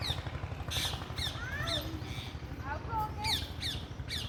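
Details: Parrots giving harsh squawks and rising-falling whistled calls in quick irregular bursts, several birds calling over a steady low hum of background noise.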